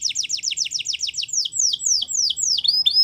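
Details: Spanish Timbrado canary singing a fast run of falling sweeps that slows into longer, drawn-out descending whistles, ending with short clear notes.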